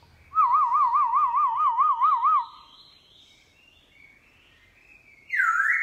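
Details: Forest-style morning song of a newly caught black-throated laughingthrush kept as a cage bird: a rapid warbling trill wavering up and down for about two seconds, a soft pause, then a sharp rising whistled note.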